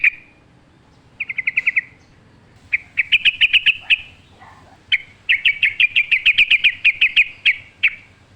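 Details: Energetic sooty-headed bulbul in forest-style song: a short burst of rapid notes, then long rattling runs of bright, clipped whistled notes repeated quickly, ending in a single chirp.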